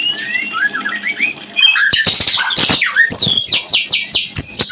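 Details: Caged white-rumped shama singing a breeding-condition mating call: soft looping whistles at first, then loud harsh chattering and rapid high downslurred notes repeated at a fast pace.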